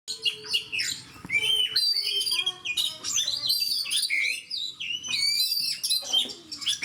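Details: Oriental magpie-robin in fighting mode singing loudly, varied whistled phrases with sharp downslurred notes, trills and quick chirps in rapid succession, with a faint low hum underneath.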